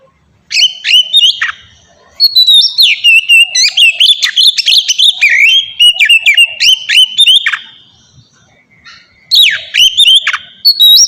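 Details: Ngeplong-style white-rumped shama song used to train caged shamas: lively run of varied whistles and rapid chirps, about three or four notes per second, a quiet gap, then renewed sweeping phrases.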